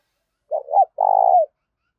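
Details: Coo of a spotted dove, meant to get a decoy bird cooing quickly: two soft low hoots and then one drawn-out, vibrating coo ending in a falling slur, in otherwise quiet surroundings.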